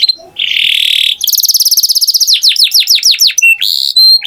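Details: Canary singing: a steady buzzy tone, then a rapid high trill, a run of downward-sweeping slurred notes and a pair of clear sustained whistles.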